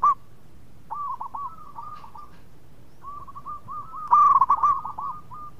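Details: Zebra dove (perkutut) singing: strings of soft, bouncing coo notes repeated rapidly at an even pitch, then a louder, closer burst of clipped coos near the end, with several doves audible.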